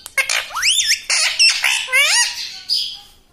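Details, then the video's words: Pet parrot that says "mummy" and "papa": a rapid run of loud, swooping, whistle-like vocal phrases that rise and bend, closing with a flat squeaky note. "मम्मी - पापा बोलने वाला तोता"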